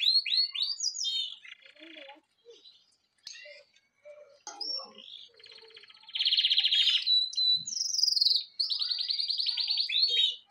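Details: Pet bird giving high swept chirps, scattered soft notes, then long loud buzzy trilled chatter in two bursts.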